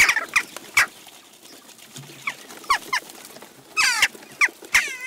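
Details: Flock of Western jackdaws visiting a garden feeder in Recke, Germany, on June 29, 2021; short harsh 'tchak' calls, several overlapping, in loud bursts scattered over five seconds, some rapid and stacked.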